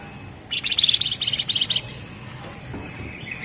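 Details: Javan Fulvetta gives a tight ngebren phrase of rapid high chattering pulses in two close groups, followed by soft background noise.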